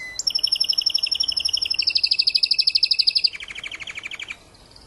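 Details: Timbrado canary tutor bird slowly bringing back its repertoire after moulting: fast, even trilled tours stepping down in pitch in stages, then stopping, with quiet afterwards.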